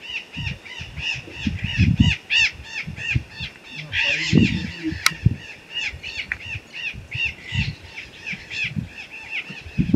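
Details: Pair of blue-winged macaws flying over a hillside foothill in the sertão of Bahia, Brazil; rapid, harsh, repeated squawks run throughout, while people talk in low voices nearby.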